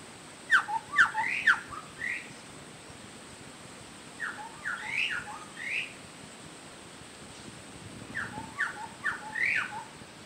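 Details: Chestnut-backed scimitar babbler, an Indonesian endemic, singing in the wild: loud, monotonous phrases of quick upward-sweeping whistled notes, repeated in three bursts about four seconds apart over a steady high insect hiss.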